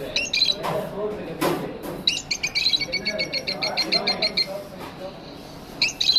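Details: Pet lovebirds in an aviary give rapid, shrill, high chirps in quick repeated bursts, about ten short notes in a row, over a low indoor murmur that sounds like voices.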